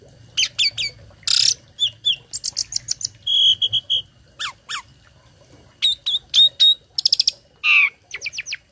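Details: Tame Asian pied starling with a loud, mimicry-filled song meant to teach other birds and prompt replies. Short sharp chips, buzzy bursts and a steady whistle are separated by brief gaps, with a faint low hum underneath.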